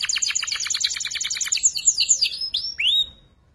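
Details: Juvenile canary practising ngeriwik song, kept as tutor material for shama and magpie robin birds: rapid high chipping trill giving way to separate whistled notes, then a long upward-curving slurred whistle before fading to quiet.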